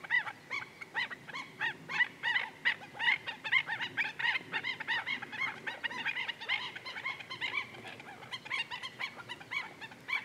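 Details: Black-necked stilts at Goldwater Lake, Prescott, Arizona, on a May morning give a steady stream of sharp, yapping notes, several per second, overlapping as if from more than one bird, with faint background hiss.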